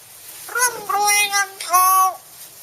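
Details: Hill myna from Chiang Mai imitating human speech for a New Year greeting: three drawn-out, sing-song syllables with smooth rising and falling pitch, indoors and quiet.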